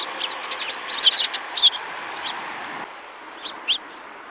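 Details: A group of sparrows in March 2018 gives quick, high, irregular chirps, crowded together at first, then a pause and two louder notes near the end, against a steady hiss.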